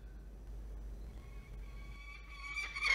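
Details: Nesting peregrine falcon pair at a nest cam in NSW, Australia, on 27 September, 05:00–08:30, while incubating three eggs: faint thin tones, then a sudden harsh, grating wail near the end, over a steady low hum.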